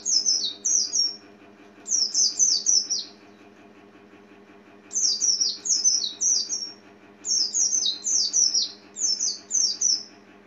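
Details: Oriental white-eye, a small yellowish passerine with a white eye-ring, giving high, thin, squeaky descending notes in quick bursts of three to five, with pauses of about a second or two between groups; a faint steady low hum underneath.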